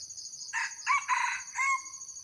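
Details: An old Red junglefowl crows to lure wild birds: a clipped four-section crow, harsh and broken, ending in a fading whistle-like tail, while insects drone steadily in high pitch throughout.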